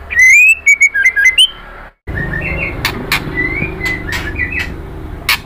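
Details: Female white-rumped shama calling the male: loud, clear, rich whistled notes in a rapid series with short sharp clicks. After a break, quieter whistles and harsh notes sound over steady background noise.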